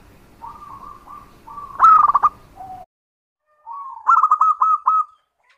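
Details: Local zebra dove song used as a lure to draw answers from other doves: two phrases of quick, pulsing coos, the first with a lower closing note, separated by a short silence.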